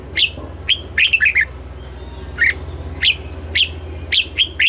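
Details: Double-note morning song of a red-whiskered bulbul: a rhythmic mix of single chirps and short warbled clusters, repeated across the recording, over a steady low hum.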